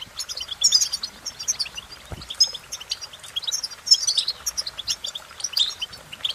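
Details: European goldfinch singing a rapid, high tinkling twitter of short chirps, trills and buzzy notes in quick, uneven bursts with brief pauses, steady throughout; faint low background noise.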